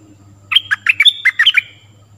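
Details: Stripe-throated bulbul song for teaching young birds and attracting wild birds, a fast chattering string of about ten bright, slurred chirps over a steady low hum.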